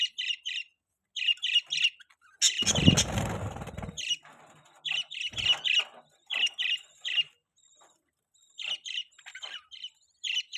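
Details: Pet budgerigars give clusters of short, buzzy double and triple chirps separated by pauses, interrupted midway by a loud rustling or wing-flapping noise.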